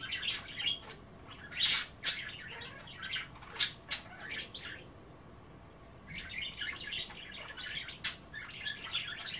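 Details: Caged budgerigars chattering during a kale bath, playing with kale and water: busy warbled chatter with loud sharp clicks and chirps in the first half, a short pause, then renewed chirping.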